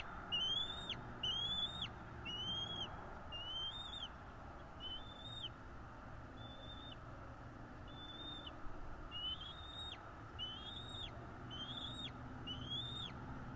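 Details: Long series of bald eagle calls at a North East Florida nest, nest cam, 12.02.2022 at 16:09: high, thin chirps with a downward flick, repeated roughly once a second, louder at the start and end, over steady low hum.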